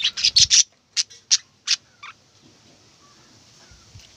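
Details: Budgerigar chirping: a quick cluster of four sharp, high chirps, then three spaced single notes and a fainter lower one, fading into a quiet low hum.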